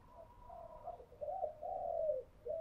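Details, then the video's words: A spotted dove lure song for training decoys, distant and soft: a series of drawn-out coos rising in strength, over a steady hum and background noise. "tiếng cu gáy thúc bổi căng lửa và gáy goi bao sung, Tiếng cu gáy mồi chuẩn"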